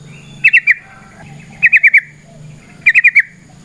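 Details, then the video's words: Trucukan, the Sooty-headed bulbul, singing to lure others: three short bursts of three or four quick descending whistled notes, spaced about a second apart, over a low background hum. "Trucukan GACOR ngalas ROPEL PANJANG suara alam AMPUH buat pancingan"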